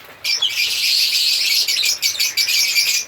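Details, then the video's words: After a brief quiet start, African lovebirds burst into loud, dense, high chirping and squeaky chatter that continues with only tiny breaks. "Lovebirds singing sound/Lovebirds sound/African Lovebirds singing and chirping sound"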